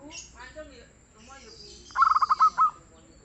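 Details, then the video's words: Local zebra dove with a soft, frequent song gives a single phrase of rapid pulsed coos slowing into two longer notes, after some indistinct chattering sounds. "SUARA BURUNG PERKUTUT LOKAL YANG GACOR DAN EMPUK"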